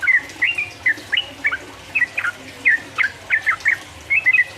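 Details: Song of a yellow-vented bulbul meant to stir rivals into singing, ropel uplik uplik style: a steady sequence of liquid, rolling two-part phrases repeated roughly every half second over a soft background hum.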